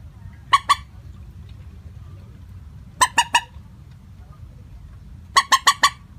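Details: Moorhen (mandar batu) lure call given in a flat tone: a pair, then three, then four fast rasping kek notes, the groups a couple of seconds apart, with soft low hum throughout.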